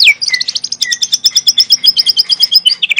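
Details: Young wild forest white-rumped shama (murai batu) delivering natural tembakan song: a steady high-pitched burst of rapid paired notes, about seven per second, after an opening downward whistle, ending on a lower slurred note.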